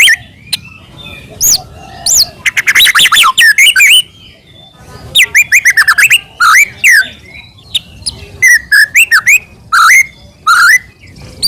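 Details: A white-rumped shama's song as a provoking lure for other shamas: clusters of rich swooping whistles and rapid clicking notes in phrases of one to two seconds, with brief quiet gaps between.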